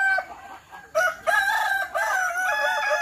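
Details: Kukuak Balenggek rooster at a joint practice crowing contest in Sawahlunto, delivering a long, stepped crow in several wavering, undulating segments after a short break, with other roosters faintly overlapping in the background.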